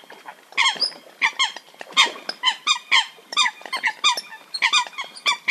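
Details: Calls of the Eurasian coot, Fulica atra, in a recording used for hunting. A steady series of clipped, nasal honking notes with a slight downward slur, about three each second, with no other sounds.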